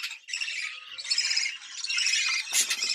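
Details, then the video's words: Budgerigar breeding call meant to excite birds into mating: a continuous, scratchy, high warble with fluttering harmonics and a sharp squeaky burst near the end. "Muhabbet Kuşu Kızıştırma Çiftleştirme Sesi"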